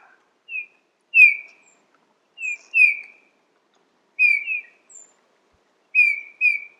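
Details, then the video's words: Eurasian bullfinch calling with mellow, descending piped whistles, often in quick pairs, about eight notes spread irregularly over seven seconds in near silence. "GIMPEL - DOMPFAFF - BLUTFINK 💮Zwitscherportrait💮 Vogelstimmen"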